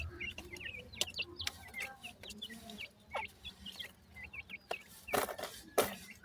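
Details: Young grey francolins cheeping, clear high downward-flicked notes in small clusters, interrupted by a few sharp clattering knocks and soft low clucks.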